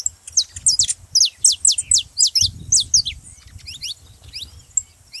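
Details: Saffron finch song used to spark singing in a silent canary: a quick burst of bright, high, down-slurred chirps for about three seconds, then softer scattered notes trailing off.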